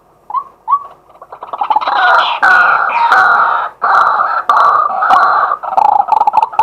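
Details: A male White-breasted waterhen calling in daytime, recorded live: two short rising notes open, then a loud, continuous, guttural croaking and rattling chorus with harsh chatter persists to the end.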